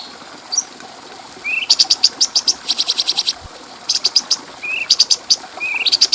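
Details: Bulbul recorded clearly as a model for other birds, giving low rising whistles then long rapid runs of shrill repeated chips, the pattern repeated twice.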